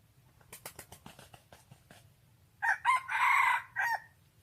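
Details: Crowing wild rooster: a series of soft clicking taps for two seconds, then a loud broken crow with a long sustained middle note and a falling end, over low rumbling background noise.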